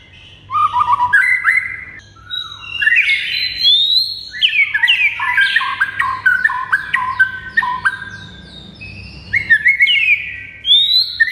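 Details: White-rumped shama singing a long, varied phrase for a cage-bird training recording: rich whistles that jump between low and high pitches, upswept notes and quick chattering runs, with brief pauses.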